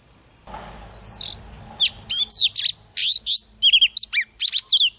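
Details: A female Oriental magpie-robin sings to stimulate males, a rapid series of sweet, clear whistles and sharp, rising notes, broken by short pauses, over a faint steady hum.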